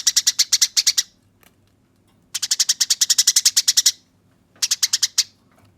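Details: Fighting song of a Eurasian tree sparrow, meant as training audio: fast trains of harsh, bright chirps, one long rolling run of about fifteen notes between shorter bursts, with quiet gaps.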